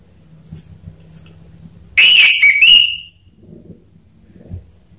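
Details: Lure recording of an orange-headed thrush, played to trigger singing: after near silence, one loud phrase of rich, slightly warbling whistles lasting about a second, then faint background murmur.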